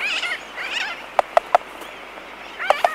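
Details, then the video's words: Laysan albatross colony heard up close: wavering nasal calls open the clip, followed by three sharp clicks and then two more near the end, with distant sooty terns audible behind. "Laysan Albatross / Mainly Clicking Sounds In Colony CU"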